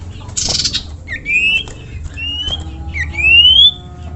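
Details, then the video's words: Common iora, known locally as sirtu or cipoh, singing as a tutor recording for cagebirds: three clear rising whistled slurs, each about half a second long, over a low background hum and a brief noisy burst at the start. "masteran burung sirtu"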